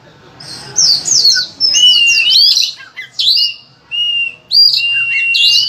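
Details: Loud, insistent Oriental magpie-robin song packed with filler phrases, used to draw song from other kacer: a quiet opening, then sweeping high whistles mixed with steady, flat whistled tones.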